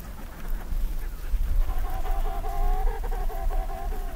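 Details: Emperor penguin colony on the first day of eggs hatching, birds in huddles: after a low windy rumble, a long pulsed harmonic call rises out of the background, steady and warbling for about two seconds, with other distant calls.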